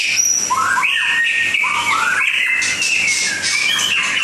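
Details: White-rumped shama song recorded in Langkawi: rich, fluty whistles rising and falling in quick succession, broken by short high chirps and a few brief buzzy notes, with a faint low hum beneath.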